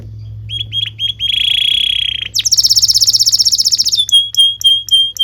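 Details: Canary song used as a training recording for young canaries: a steady whistled trill, then a fast buzzy rattle of rapid notes, ending in clear repeated whistles.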